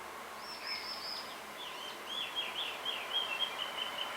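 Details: A male blue rock thrush seeking a female on a bamboo hill: a thin, high opening whistle, then a rapid, wavering chain of warbled notes that becomes a fast trill, with light background hiss.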